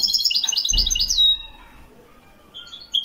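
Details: European goldfinch singing in the Moroccan Wedani style, Morocco: a rapid burst of tinkling, twittering notes for over a second, closing on a thin gliding whistle, then quiet with a few sharp notes at the end; a soft low thump early on.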